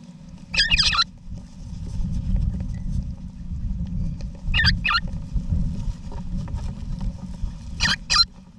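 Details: Backyard nesting box in Australia, November 2018, holding a wild eastern rosella pair and their chicks: three twin bursts of harsh, trilled chatter a few seconds apart, with steady low rumbling throughout.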